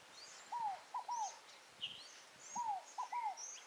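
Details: Wild Scaled Dove (rolinha fogo-apagou) from Tupi Paulista, São Paulo, giving two mellow phrases of three falling coos, the first drawn out and the next two clipped, over scattered faint high chirps.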